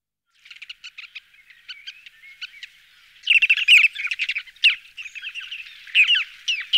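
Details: Ruddy turnstone calling: sparse sharp, high chattering notes at first, then from about three seconds on a louder, dense run of staccato chips and rattles in quick bursts.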